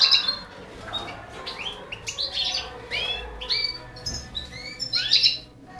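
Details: Balkan goldfinch (balcanica) tending four canary nestlings: rapid thin chirps and upswept tweets overlap in quick runs, growing busier toward the end, over a faint low hum.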